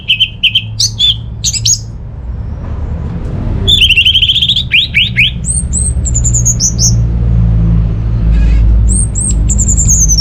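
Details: Orange-headed thrush, from North Bali, singing to lure quiet birds kept at home into song: quick whistled phrases, a buzzy rattling burst, then high slurred whistles, over a persistent low hum.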